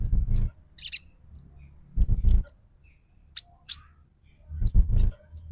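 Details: Crimson sunbird (sogon), in a lure recording used to provoke a silent bird into singing: three bursts of high, sharp chirps and short trills, each paired with loud low thumping noise, with gaps of about a second between bursts.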